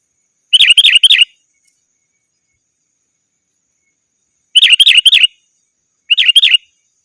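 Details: Sooty-headed bulbul calling rivals, a sound used to lure wild birds in the forest: three bursts of quick, wavering chirps, the first two close together, then a pause of about three seconds before the next two bursts. No other sounds.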